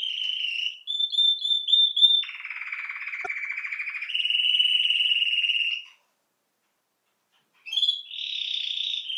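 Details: Domestic canary singing: quick repeated high notes, then a long low buzzy roll and a smoother steady trill, a short silence, and a fresh high trilled phrase.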